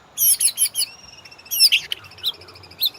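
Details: White-rumped shama song used as a master recording to train caged birds and provoke them to sing: rapid bursts of high twittering notes and trills, then a long thin whistle, then scattered sharp chirps.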